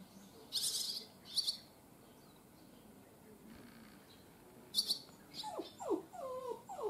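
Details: Barn swallow fledglings on their first day out of the nest: short bursts of high, sharp chirps in brief clusters, separated by quiet gaps, with lower descending whining calls from another animal near the end.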